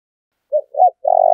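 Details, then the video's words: Spotted dove cooing to provoke a fight. Two short hollow notes are followed by the start of a long rolling coo, which is cut off before it ends. Nothing else is audible. "Tiếng chim cu gáy thúc đấu"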